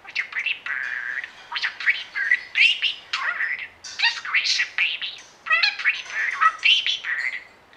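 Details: Indoors, a pet budgerigar that mimics a meow, woof, snore, squawk and singing runs through a steady stream of chirps, whistles, rasps and rising squeaks with hardly a pause.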